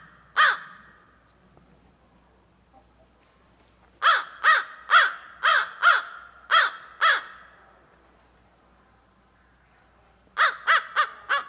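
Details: American crow (Corvus brachyrhynchos) giving harsh, hoarse caws in loose, irregular bursts with no rhythm, each caw separate and distinct; a very common call given when just hanging around. Faint steady hum behind.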